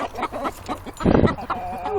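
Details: Chicken flock clucking in agitation when a year-old rooster, caught and held for crowing, flaps and gets upset: short low clucks about every quarter second, with a loud scuffle of flapping wings midway.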